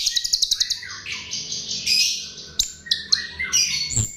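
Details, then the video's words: Chestnut-tailed starling (jalak rio rio) lure song: a run of quick sharp chips, then harsh buzzy squawking phrases and loud scratchy notes, recorded close. "Ternyata ini Pancingan Jalak RIO RIO"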